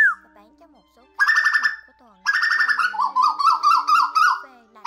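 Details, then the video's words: Asian koel, a recording used as a lure for night-net trapping of migrating birds in August 2024, gives two bursts of rapid, harsh, bubbling notes, the second falling into a run of wavering, descending calls. "Tiếng Tu Hú"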